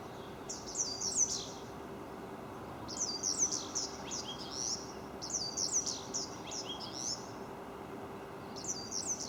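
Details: Barn swallow giving bursts of high, rapid twittering chirps and scratchy trills, each burst lasting about a second and recurring every two to three seconds, over a faint low steady hum.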